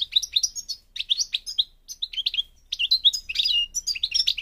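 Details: European goldfinch, subspecies parva, Morocco, delivering bright chirping phrases with clear slurred whistles, pausing around two seconds before a denser twittering burst.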